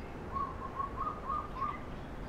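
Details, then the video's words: Female violet-backed starling (Cinnyricinclus leucogaster) in a park aviary in Yuen Long, recorded 12 June 2017, gives five soft, brief mid-pitched whistled notes about a third of a second apart over a low steady rumble. "Violet backed Starling Female Cinnyricinclus leucogaster 白腹紫椋鸟"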